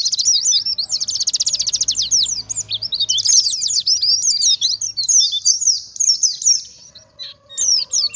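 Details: Oriental white-eye in fast 'ngalas' lure song: an opening dense rattling trill, followed by quick, high zigzag chirps and twitters, thinning toward the end with scattered notes.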